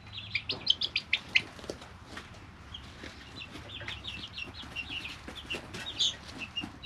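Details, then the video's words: Brooder full of three-week-old chicks: a busy run of sharp, high peeps, loudest early, then steady overlapping chirping with pecking taps and rustling. "Just Chicks - Life in the Brooder"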